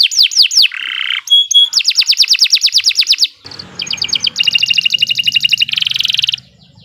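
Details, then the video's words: Canary singing on and on for use as a tutor recording: a few downswept notes, a low buzzy tone, then quick bright trills, a short pause and fast doubled rattles that stop abruptly. "Kicau Burung Kenari II GACOR PANJANG"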